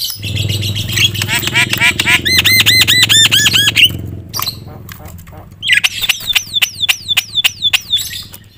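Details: Loud Javan myna (jalak kebo) song meant to provoke other mynas: harsh scratchy chatter over a low hum, a rapid string of looping whistled notes, a pause, then a series of descending whistled swoops.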